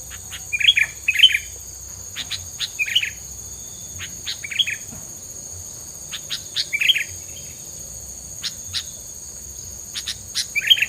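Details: Bird calls used for a kept songbird: short bright chirped notes in small bursts about every second or two, over a steady high insect-like drone throughout.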